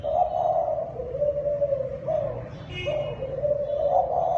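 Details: Thai dove cooing in the kích bổi style, long low humming coos running almost without break, wavering slightly in pitch, with a brief faint chirp from another bird midway.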